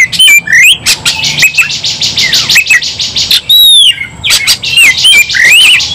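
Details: Oriental magpie-robin in full fighting song: sharp chips and short whistled slurs, harsh buzzy stretches, then a clear falling whistle and more quick wavering whistles, loud and energetic.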